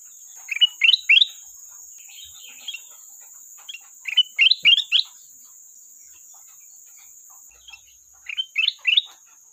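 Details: Sooty-headed bulbul singing to call a rival, with short bursts of bright, bubbling whistled notes in three groups, quiet gaps between them, and a steady high thin whine throughout.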